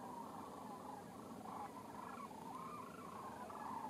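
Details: Chorus of sandhill cranes, rattling bugled calls overlapping continuously and rising and falling slightly in pitch, with no other clear sounds.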